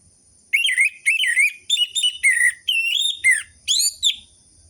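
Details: Orange-headed thrush singing for coaxing silent captive birds: a run of loud slurred whistled phrases, wavering and falling, each under half a second, ending with a rising high note.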